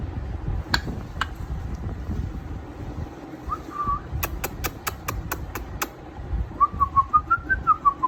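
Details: Pet grey parrot, eight months old, kept out of its cage and known to copy words, mobile ringtones and doorbells: clear whistled phrases near one pitch, wavering up and down, with a quick run of sharp clicks between them.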